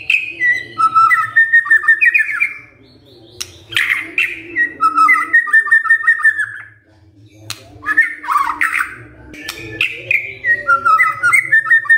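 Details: White-rumped shama song used as a lure for other shamas: repeated bursts of warbling, chattering whistled notes with short breaks, over a continuous low hum.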